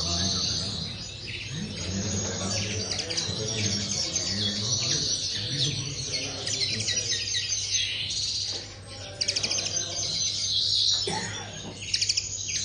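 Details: Aviary linnet song, a busy stream of quick high twitters and buzzy trills, briefly dipping near the middle before resuming, with a low hum and murmur underneath.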